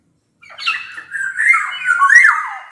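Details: Black-naped oriole (kepodang emas) in vigorous song, used as a lure to prompt quiet orioles to sing: a loud, flute-like whistled phrase of sliding, wavering notes that rise and fall, starting after a brief silence.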